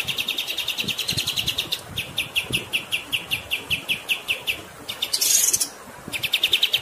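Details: Pied triller song, used as a tutor recording for songbirds, set over running water: fast chirped trills in bursts with short pauses between them, one harsh scratchy burst near the end, and steady low hiss throughout.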